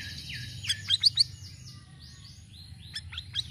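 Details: Varied Sirisiri song meant to attract birds: high whistled downslurs, a quick burst of three loud piercing notes, then arching whistles and soft ticks, with a low hum underneath.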